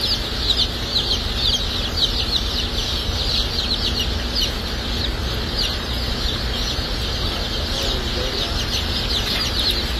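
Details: Dark Brahma baby chicks, many together at a hatchery on hatch and shipping day, producing a continuous busy chorus of sharp high peeps without pause over a low mechanical hum.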